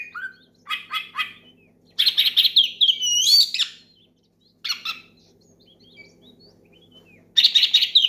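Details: Oriental magpie-robin, a kept songbird, singing loudly to call a rival and prompt other magpie-robins to sing; bursts of buzzy rattles and rising whistled slurs come in groups, broken by short silent gaps, with a faint low hum underneath.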